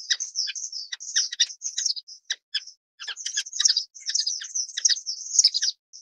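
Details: High, thin twitters and clipped tweets from an orange-cheeked waxbill, Estrilda melpoda, delivered in irregular bursts separated by short silences, steady throughout six seconds.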